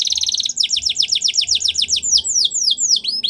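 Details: Training song of a canary: a fast high trill leading into a long rhythmic run of bright downslurred whistles, slowing slightly toward the end.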